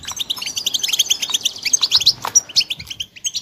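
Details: Several European goldfinch chicks give rapid, high-pitched twittering chirps, about ninety-five short notes a minute in an uneven flurry, with a brief lower rustle near the middle.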